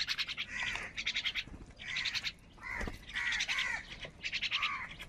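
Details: Crows quarrelling over food: rasping, nasal caws in clustered bursts, with a louder arched caw near the middle and a short knock.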